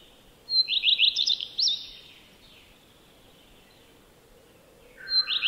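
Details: Common redstart singing one phrase: a clear high lead-in whistle, a fast run of repeated notes, then varied squeaky twitters. After about three seconds of quiet, a second phrase begins alongside a lower burry sound.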